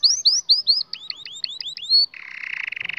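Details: Canary song used to train young canaries. A run of rising, slurred whistled notes repeats several times a second, then gives way to a harsh buzzy rattling trill.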